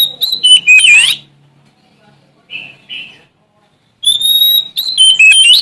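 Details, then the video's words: Magpie-robin from Sumatra in rival-seeking song: quick whistled notes end in a sweeping downslur, soft buzzy phrases follow, then a long clear whistle and a lively string of changing whistled notes. "Suara Asli Kacer Sumatra Gacor Cari Lawan"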